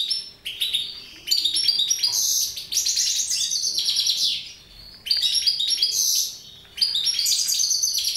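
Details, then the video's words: Bursts of bright, fast twittering and buzzy trills from mutation goldfinches, broken into several long phrases by short silences. "Mutation Goldfinches"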